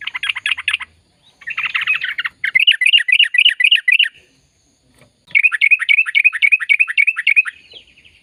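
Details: Sooty-headed bulbul in full, long-rolling song, played to stimulate silent birds to sing: bursts of rapid, repeated warbling notes, looping up and down, in three runs separated by short pauses, with no other sounds.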